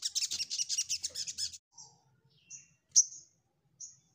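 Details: Ruby-cheeked sunbird seeking a rival: a fast run of high buzzy trilled notes lasting about a second and a half, then scattered thin whistles and one sharp high chip over faint low noise.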